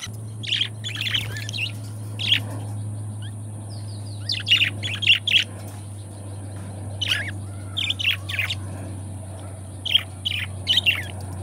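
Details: Couple of pet budgerigars giving repeated bursts of harsh, high chirps in small groups, some rapid doubled notes, separated by short silences, over a steady low hum.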